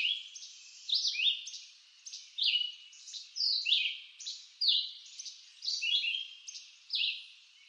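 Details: Red-eyed vireo singing in eastern North American woods: short, high whistled phrases, some rising and some falling, delivered in quick succession with brief pauses, roughly one phrase per second, in a quiet background.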